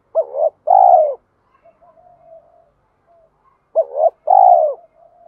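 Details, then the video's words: Spotted dove cooing to challenge a rival. Two matching phrases, each a quick double note followed by a long, falling coo, come about three and a half seconds apart, with soft, low notes murmured between them. "cu gay kich boi nhanh noi gù_thúc đấu gáy gọi"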